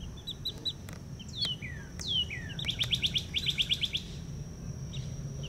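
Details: Wild young chicks with their mother hen in Hawaii: thin, high peeps and downward-slurred whistles, then a quick run of rapid repeated chirps, over a steady low rumble and a faint constant high tone.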